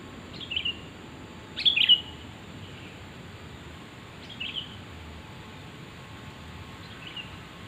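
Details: Sooty-headed bulbul luring call: a brief chirp, then a loud gurgling, slurred phrase, followed by two quieter chirping notes spaced a few seconds apart.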